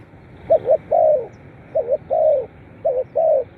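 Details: Spotted dove calls used to stir captive birds: three close phrases, each a soft double hoot then a sustained, slightly drooping coo, about one second apart.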